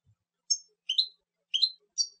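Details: European goldfinch giving four short, sharp call notes. Some are doubled chip-like twitters, spaced about half a second apart, with silence between.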